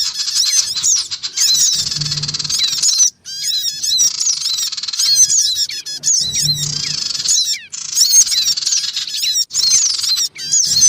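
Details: Noisy black-winged cuckooshrike chatter from a lure recording of males, females and young, used to attract wild birds: dense, continuous high twittering with rapid chirps, cut by brief silences, over a steady low hum.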